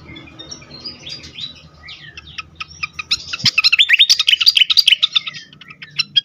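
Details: Fantail in an agitated mood, for luring and stimulating birds: faint high notes at first, then a dense rush of fast, loud, high twittering chirps, fading to a few scattered calls, over low hum.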